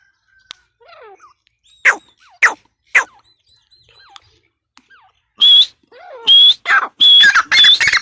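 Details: Female grey francolin: a few scattered sharp notes and faint chirps early on, then from midway a loud burst of harsh, repeated squawking calls with a whistled ring, growing denser toward the end.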